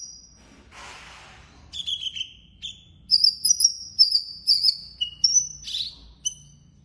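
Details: Blorok-type Javan bush lark in gacor form with full isian song: a brief high note, a soft rushing noise burst, then clustered sharp chirps and high pure whistled notes in quick irregular succession, over a faint low background hum.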